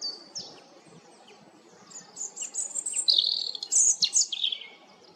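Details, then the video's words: Song of a European robin, with thin, high sliding notes that build into a quick, tumbling sequence of varied, tinkling warbles and trills. Soft low background noise runs underneath. "roodborst zang малиновка robin Rotkehlchen rouge-gorge"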